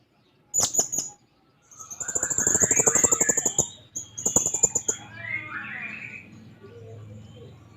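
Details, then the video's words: Blue-crowned hanging parrot seeking a rival: a quick burst of shrill chips, then a long fast buzzy rattle with a high ringing tone, further chips, and descending chattering notes over a low hum. "Serindit Gacor Mencari Lawan"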